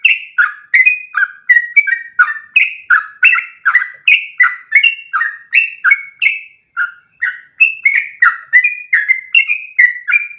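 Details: Long, one-breath 'ropel' song of a Sooty-headed bulbul, played as training material for other bulbuls. Dense stream of short, bright fluty notes swings between low and high pitches, roughly three per second, with one short gap.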